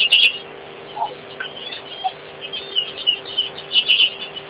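Common greenshank giving high, clipped notes in short, irregular bursts, with a few lower notes between them, over a faint steady mechanical hum.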